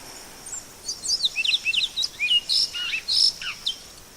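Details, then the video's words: Great-billed seed finch singing in the wild; quick, varied phrase of high whistled slurs and twitters, rising and falling notes strung together over steady background hiss. "Som do canto do pássaro Bicudo"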